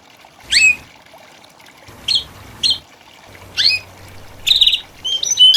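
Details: Several saffron finches sing together in a group singing session, in short bursts of bright, high chirps and sweeping whistled notes about a second apart, over a faint low hum.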